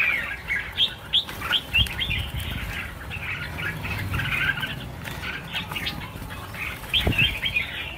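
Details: About a thousand red-whiskered bulbuls being released at once: a dense, overlapping chatter of bright chirps and short warbled phrases, with sharp rising notes near 1 and 7 seconds, over broadband rustling and low rumble.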